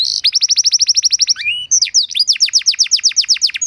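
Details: Canary song used as a tutor and trigger for caged canaries: a short bright buzz, then a rapid, regular trill of descending notes, a brief rising whistle, and another fast rolling trill.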